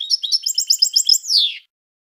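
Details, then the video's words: European goldfinch, parva, gives a quick run of clear chirping notes ending in a drawn-out, buzzy descending nasal note, then silence. "Chant de chardonneret parva Goldfinch"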